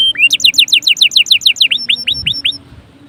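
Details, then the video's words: Canary song played to prompt other canaries to sing: a rapid, even trill of about fifteen high, down-slurring notes, shifting to a few slower sweeping whistles that fade out. "PANCINGAN SUARA KENARI GACOR"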